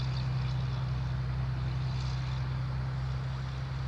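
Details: A steady engine drone with a strong low hum throughout; no animal calls are heard.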